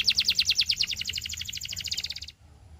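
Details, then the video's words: Belgian canary in song, recorded to train young canaries. A loud, even trill of rapid pulsing notes runs for over two seconds, then stops abruptly. "SINGING TO TEACH BELGIAN CANARY 30 Minutes of Singing!"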